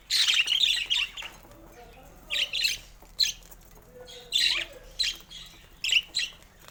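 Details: Pet budgerigars chirping while playing with toys in the morning: bursts of harsh, scratchy chirps in quick clusters, then short separate chirps spaced about a second apart.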